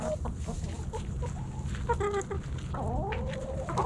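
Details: Backyard hens and roosters snacking at Thanksgiving; short scattered clucks and a brief buzzy harmonic note lead into a sweeping, rising-then-falling drawn call near the end, over low background rumble.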